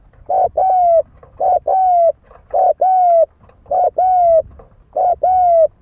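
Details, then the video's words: Spotted dove cooing, a recording used as a lure to provoke fighting: five loud, clear two-part phrases, each a short note followed by a longer, slightly falling coo, repeated roughly every second against a quiet background. "Tiếng chim cu gáy đấu bổi dùng kích mồi"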